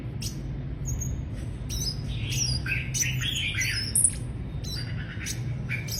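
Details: Mrs. Gould's sunbird gives a run of thin, high chirps and scratchy, buzzy notes in quick irregular bursts, over a steady low rumble.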